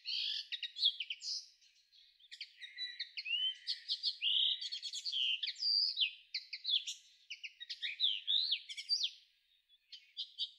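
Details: Sustained twittering from a linnet recorded in May 2013. Chattering chirps, nasal slurs and short rattles pour out almost without a break. The phrases rise and fall in loudness, with a brief pause near the end.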